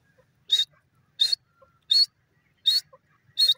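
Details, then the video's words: Female francolin calling: five short, sharp, high-pitched notes, each a brief burst, repeated at an even pace of roughly one every 0.7 seconds against a quiet background. "female teetar beautiful awaaz beautiful birds"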